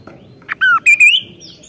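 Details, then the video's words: Kaso-kaso singing actively in the loud, sharp 'gacor nembak' style: a short buzzy note, then a clear whistle falling slightly, then two loud whistles, the last rising, against a quiet background. "BURUNG KASO KASO GACOR NEMBAK"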